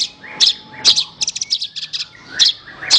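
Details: Horsfield's bush lark song used as a training recording for other songbirds: bursts of high, sharp chirps and short rapid trills, varied and uneven, with faint lower whistled notes between them.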